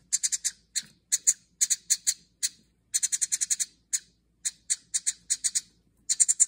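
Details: House wren nestlings in a birdhouse begging for food after their mother stopped returning; bursts of shrill, high, raspy chirps in quick clusters of three to six, with brief silent gaps between bursts.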